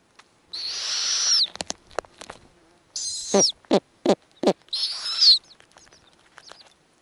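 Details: Snowy owl female on her Arctic nest with hatching owlets, feeding the nestlings small pieces; she makes specific sounds when offering food. Three harsh, high screeches, each under a second and a couple of seconds apart, with sharp clicks and knocks between them.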